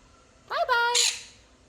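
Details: Pet quaker parrot, kept since a young age, answers an indoor prompt with a brief talking phrase: two quick harmonic, voice-like syllables lasting about half a second. A person speaks just before.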